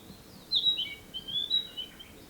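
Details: Narcissus flycatcher song recorded in 2017: a few short, high whistled notes and slurred chirps in a loose phrase, with quiet pauses between and a faint background hiss.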